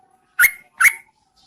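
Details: Female Yellow-vented Bulbul calling to entice males, used as a lure during the rainy season: two sharp, bright chirped notes about half a second apart, each with a quick rising then falling inflection, in a quiet background.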